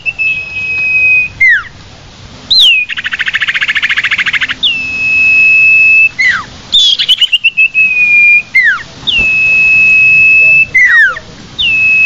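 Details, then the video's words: Lure call to attract the common iora: sustained level whistles ending in downward slurs, a harsh buzzy rattle, and a quickly descending trill of whistled notes. "Suara pikat burung SIRTU/CIPOH"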